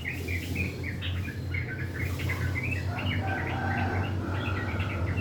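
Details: Yellow-vented bulbul singing in the morning in a rough, chattering 'ngriwik' style: quick bubbly chirps and short warbled notes in a steady run, over a constant low hum.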